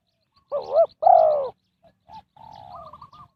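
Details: Spotted dove used as a decoy to lure wild birds for trapping: two loud, throaty, wavering coos, then softer, flatter cooing notes ending in a short, quickly repeated trill.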